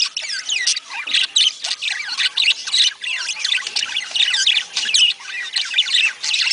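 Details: Budgerigars warbling to stimulate breeding: rapid, scratchy high chatter with rising and falling whistled notes, pulsing several times a second from a group of birds.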